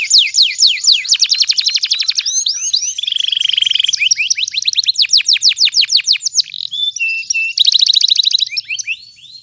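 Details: Continuous canary song used to stimulate birds that have stopped singing and to tutor young canaries: loud alternating trills of fast downward sweeps, buzzy rolls and clipped whistles, changing phrase every second or two.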